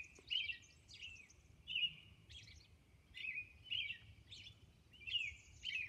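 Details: Robin singing at dawn on Orcas Island: a regular series of clear whistled phrases, roughly one every half second to second, alternating lower caroled notes with thin higher ones.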